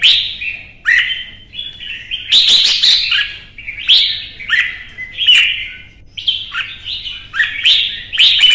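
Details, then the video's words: Heated singing-contest song of a kept red-whiskered bulbul from Vietnam: near-continuous rich, warbled phrases, strongly accented every second or so, with little silence between. "CHÀO MÀO | Kích ché đấu hót căng lửa"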